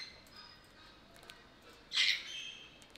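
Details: Sulphur-crested cockatoo kept at Belgrade Zoo, Serbia, August 2022, recorded on a Panasonic AG-CX350: a single short, grating squawk bursts out midway over quiet background chirping.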